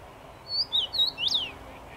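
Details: A common rosefinch singing in a tree on 23 May 2021 gives a brief phrase of four or five clear, slurred whistles, some rising and some falling, all within about a second, over a quiet background.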